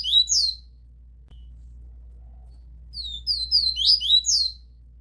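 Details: Double-collared seedeater recorded live singing in 'tui tui zel zel' style, used to tutor young birds: quick bursts of slurred, high whistled notes, a pause, then a longer rapid run, over a steady low hum.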